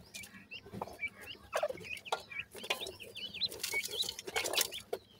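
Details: A group of captive white francolin chicks while feeding: rapid, wavering high chirps in dense clusters, overlapping voices, with sharp clicks and bursts of rustling, hissing noise throughout.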